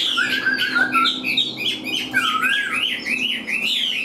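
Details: Chinese hwamei, a caged, hand-tame bird, sings a continuous run of rich, wavering whistled notes that rise and dip in quick succession over a faint low hum.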